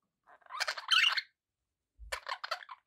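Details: Pet budgerigars with a longer blurred warbling chatter lasting about a second, then silence and a second burst of short scratchy chirps; a faint low thump sits beneath the second burst.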